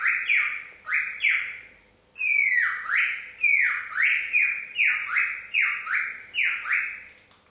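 A cockatiel whistles rapid, repeated swooping tones that dip and rise like an electronic alarm.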